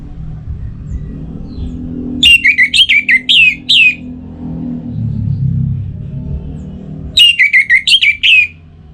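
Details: Orange-headed thrush, kept in North Bali and in breeding condition, calling a rival with loud bursts of sharp, downslurred whistled notes, a long phrase of about seven notes then another after a pause, over a low rumble.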